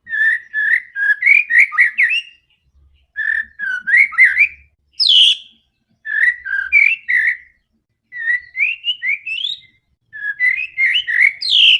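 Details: White-rumped shama, aggressive song to provoke other birds: six short bursts of fast chirps and upward-sliding whistles, one shrill high flourish, with brief silences between phrases.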